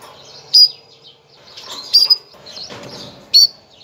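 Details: Female canary calling to prepare males for breeding, three brief high chirps spaced roughly a second and a half apart, with soft rustling and background hum between them.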